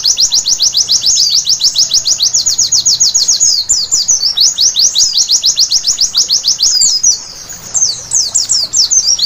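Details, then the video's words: White-eye, locally pleci, singing at night for bird training: a rapid continuous high twittering of quick downslurred chirps, about three to four per second, sustained with brief pauses and variations. "Terapi Pleci Malam Hari Bikin Gacor seketika!!!"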